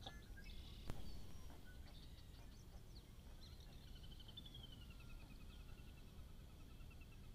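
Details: A Sora calls at a trail cam in central Alberta, northeast of Edmonton, giving a high, descending whinny of quick, evenly spaced notes that slow and fade, with a few faint chirps over a steady low rumble.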